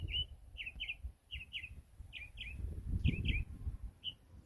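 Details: A bird in the trees of a country yard gives short, high, downslurred chirps, mostly in quick pairs, about one pair per second, over low rumbling background noise.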